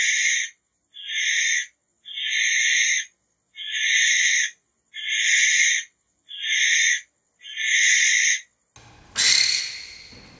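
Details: Barn owl giving a steady run of seven raspy, hissing calls, each under a second, evenly spaced. A harsher screech-like burst closes the sequence.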